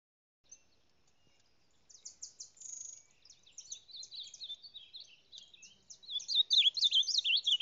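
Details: Ultramarine grosbeak (reina mora) from Salado singing: a quiet start building into fast, varied warbled and chattering high phrases with sweeping whistled notes, louder toward the end; no other clear sounds.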